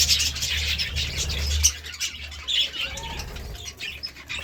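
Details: Budgerigar chirping in the morning, softer and more scattered: high twitters and scratchy notes, louder early on, thinning out later, over a low hum.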